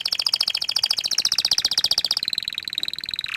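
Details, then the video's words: Orange frost canary delivering a continuous rapid trill of bright pulses, which settles into a steadier, slightly higher, smoother roll near the end. "Kenari Oren Frost ini Ingin Menunjukan Kicauan nya yang Mantul"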